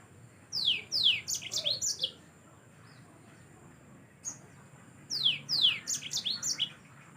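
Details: Two bursts of yellow-fronted canary song, each a quick cluster of high downward-sweeping whistled notes and chirps lasting about one and a half seconds, separated by a pause of near silence.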